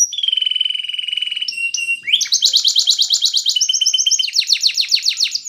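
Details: Timbrado canary song for teaching a canary to sing: a long steady pulsed trill, a short pause, then dense fast metallic rolls with rapid repeated notes at high pitch.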